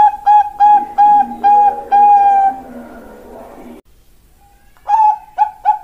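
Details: Bangkok-type zebra dove (perkutut), a young bird, sings clipped hollow coos on a steady pitch, some notes drawn out longer. A low murmur runs under them, then a silent gap before a few more quick notes.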